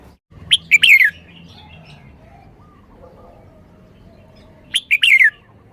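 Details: Red-whiskered bulbul singing two matching phrases about four seconds apart, each a loud rapid run of sharp, descending whistled notes, with near silence between.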